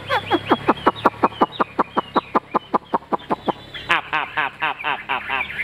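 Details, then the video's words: A caged Chinese hwamei, fig-leaf-tailed and praised for its singing, repeats a loud clear note with a falling slur about three times a second, then breaks into fast warbled trills. "Họa mi đuôi lá vả bóng bộ đẹp hót hay"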